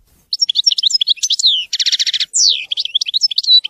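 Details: European goldfinch singing in the wedani style, a loud, lively stream of twittering high notes, buzzy rasping bursts and quick slurred whistles, delivered almost without pause in a quiet setting.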